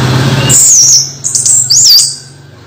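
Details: Caged orange-headed thrush during moult: high thin whistled phrases that dip and rise, repeated twice, over a low steady hum.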